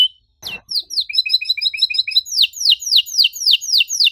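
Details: Canary song for stirring quiet birds into singing: a knock, then paired high chirps repeated quickly, followed by loud downward-swept whistles about three per second.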